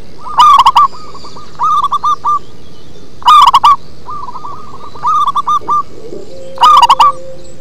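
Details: Local zebra dove singing with a deep, bass quality, loud stuttering coo bursts alternating with softer chains of short coos, roughly every one and a half seconds, over a quiet low hum.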